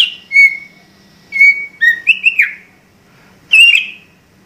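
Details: White-rumped shama in full, energetic gacor song: clear whistled notes, some held level and some sliding downward, with a quick twisting phrase in the middle and a bright slurred ending.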